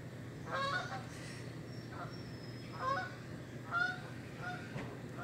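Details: Geese flying over, giving spaced nasal honks, some doubled, roughly once a second against a steady low rumble of background noise.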